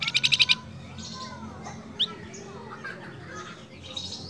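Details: Flamboyan bird calling to its female, opening with a quick harsh rattle of six pulses, then thin rising whistles, a sharp single chip and soft warbled notes over low background hum.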